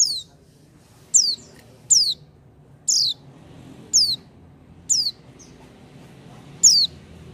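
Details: Pleci, or oriental white-eye, singing actively without doping: seven thin, high, downward-slurred chirps repeated about once a second, sharp and clean over quiet low-frequency background.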